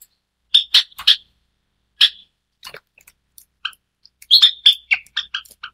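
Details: White Java sparrow, the all-white variety, introduced to Taiwan, calling with loud sharp chips in a quick triple, a pause, then a busy string of tinkling, slightly metallic notes.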